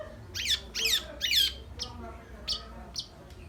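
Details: Long-tailed shrike producing three loud, harsh, scratchy rasping bursts in quick succession, followed by softer sharp chips spaced about half a second apart.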